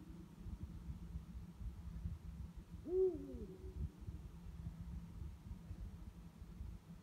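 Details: Eurasian eagle-owl, one of two calling at night, gives a single deep hoot that rises briefly and then falls away, set against constant low-pitched rumbling noise.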